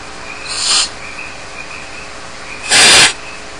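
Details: Barn owl chicks alone at home in their Starr Ranch nest. A softer, higher hiss is followed about two seconds later by a loud, full, harsh rasp.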